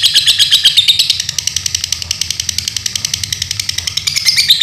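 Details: Continuous high-pitched rattling trill from a pet lovebird in Paduraksa, Pemalang, Indonesia, the clicks evenly fast and steady throughout, growing slightly louder toward the end.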